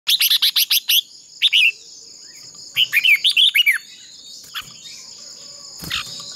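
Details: Red-whiskered bulbul decoy bird singing in a fighting contest, used for voice training: rapid bursts of short sharp notes, then a bright warbled phrase of slurred whistles, with steady high insect-like hiss throughout and a brief click near the end.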